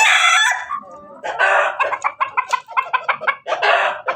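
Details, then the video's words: Crossbred Ketawa × Bangkok × Pelung chicken in Banguntapan, Jogja, crowing as it is about to lay: a loud harsh opening note, then a stuttering laugh-like run of about a dozen quick choppy syllables over three seconds. "Ayam hasil persilangan ketawa Bangkok pelung berkokok mau bertelur"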